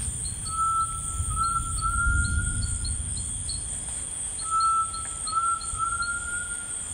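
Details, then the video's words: Tinamou singing in rainforest: two pure, slightly rising whistled phrases, each a short note leading into a longer held tone, separated by a pause, over a steady high insect drone and a repeated soft ticking note. "The Singing Tinamou"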